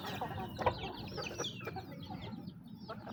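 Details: Chickens at their feed calling with quick, nasal clucks and a few higher squeaky notes, tightly overlapping above a steady low background rumble.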